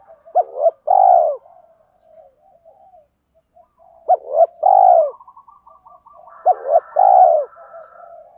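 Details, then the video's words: Spotted dove cooing of male and female birds, used to stimulate birds in training. Three low, mellow phrases about three seconds apart, each two clipped notes and a long coo, with soft murmured cooing between. "Tiếng chim cu gáy THÚC GÙ Gáy Gọi, nhiều bài vở(tiếng chim cu gáy kích bổi hiệu quả)"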